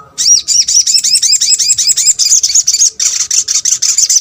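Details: Sunbird calling to draw a response from other birds: a loud, fast series of high, arched chirping notes, about five per second, running without pause and turning rougher and more buzzy near the end.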